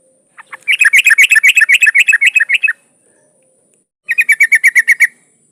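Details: Female yellow-vented bulbul in breeding condition calls a male with a long, fast chattering trill of about two seconds, then after a pause a shorter, evenly spaced rattle of notes.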